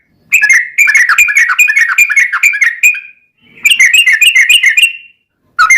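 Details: Yellow-vented bulbul song used as a lure to make captive birds sing back: fast runs of clear, liquid whistled notes around a steady pitch, bubbling in two long bursts separated by a brief pause.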